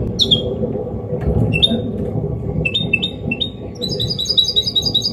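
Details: Goldfinch hybrid (mule) giving clean Málaga-copy style song, meant to stimulate males to sing and teach chicks; sparse high chirping notes, a few short separate phrases, over a steady low room hum.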